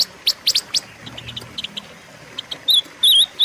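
Silver-eared mesia: a quick burst of sharp, high chips, then bright warbling whistles that wobble up and down in short repeated phrases.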